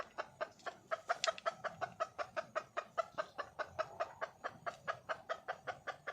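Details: Wild red junglefowl hen calling for a male: a rapid, steady series of short, sharp clucks, several per second, with a slightly louder burst early on.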